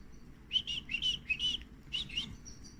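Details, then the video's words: Canary chicks begging while being fed: bursts of short, sharp chirps, rising and falling, in two quick clusters with a brief pause between them, over a faint low hum. "canary feeding babies"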